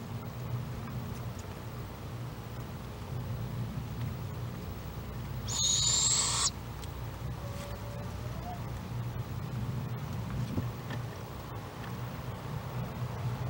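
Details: Barred owlet still inside a nest box at Lake Okeechobee, Florida, March 2017, hollering at its sibling outside; one raspy high screech of about a second midway, amid steady low rumbling background noise and faint clicks.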